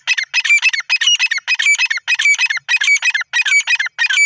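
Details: Harsh, strident grey francolin call repeated in a rapid, unbroken series of ringing notes, each burst grouped in pairs or threes with brief gaps, loud and close with no other sounds.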